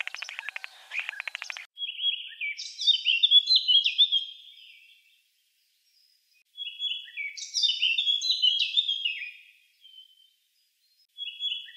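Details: Eurasian blackcap (Sylvia atricapilla), a Russian forest bird, sings brief rich warbling phrases of varied clear notes, each a few seconds long with pauses between, after a short scratchy chatter at the start.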